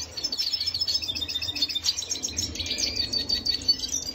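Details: Singing red siskin of Venezuela, 25 June 2022, delivering an unbroken stream of thin, high twitters and trilled chirps in a steady, rhythmic pulse.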